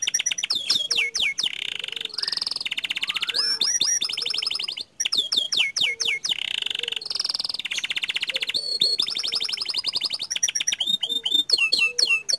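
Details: Canary of the Panda variety singing continuously with long rolling phrases: alternating sharp down-slurred whistles, buzzy sustained trills and fast chattering series, with one brief break midway.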